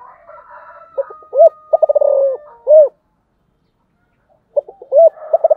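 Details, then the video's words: Cooing of a spotted dove (cu gáy): short hooting notes, a fast stuttered run and a lower drawn coo, ending in a loud arched note. After a pause the phrase begins again. Faint whistles are heard at the start. "cu gáy"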